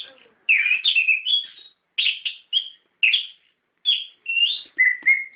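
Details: Singing orange-headed thrush used as a lure to make kept birds answer, described as gacor ngerol. Bright, high whistled phrases with quick trills are separated by short silences, ending on a level whistle.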